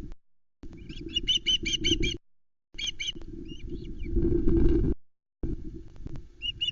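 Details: Loch Arkaig osprey nest in July 2020, a whole trout delivered to three chicks: quick runs of high piping whistles, roughly four per second, with strong low wind buffeting between bursts.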